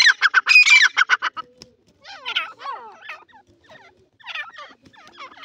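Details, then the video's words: Irani teetar, a francolin: a quick run of loud harsh clipped notes for over a second, followed by quieter irregular chattering and bent whistled notes. "irani teetar ki voice#teetar ki boli #teetar ki voice#teetar ki awaz"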